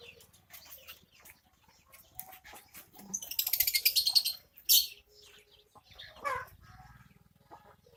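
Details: Javan myna angered at being watched while bathing, giving a harsh, rasping, noisy burst lasting over a second, followed by a shorter harsh note, amid scattered clicks and water splashes.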